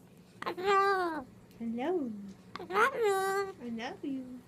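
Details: Pet Moluccan cockatoo talking indoors in a small room, producing voice-like phrases with strong harmonics, some long and falling, others short and rising, in about four separate utterances.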